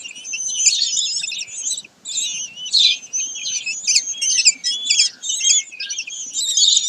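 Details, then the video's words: Common kestrels at Sägeweg, recorded 22 May 2023: a long sequence of shrill, scratchy calls in clustered bursts, with one clear pause near two seconds. "Turmfalken im Sägeweg am 22. Mai 2023"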